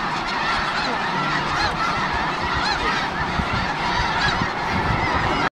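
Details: Snow geese massed in the Skagit Valley, Washington, giving an unbroken din of high nasal honks from many birds at once, cutting off abruptly at the end.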